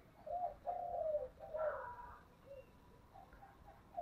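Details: Spotted dove in the 'thổ' voice style calling with thúc and calling coos, heard faintly against steady hiss: several low hollow coos run together, with a rougher burst midway and soft notes after.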